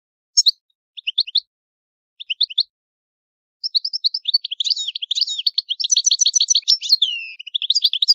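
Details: European goldfinch of Italian type singing the old-style song: opening chirp groups spaced by pauses, building into a dense liquid twittering stream with buzzy trills and a falling slurred whistle.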